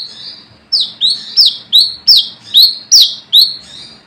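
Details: A wild brown-throated sunbird gives its rival-summoning lure call, a string of piercing high notes each sliding downward, evenly spaced at a brisk pace, with a faint lead-in before the loud series.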